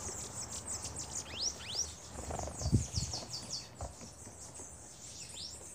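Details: Several Bananaquits crowding a feeder, giving thin, very high chips and downslurred squeaks in irregular, overlapping bursts, with a few dull thumps and bumps at the feeder in between.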